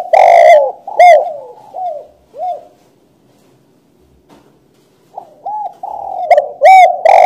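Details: Spotted dove cooing close up: a loud phrase that trails off into softer bowed coos, about two seconds of silence, then a fresh loud series of coos.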